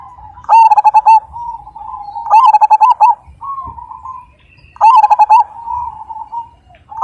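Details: Big-voiced Majapahit zebra dove repeating loud, pulsed coo phrases of five or six beats, three times in seven seconds, linked by softer drawn-out coos.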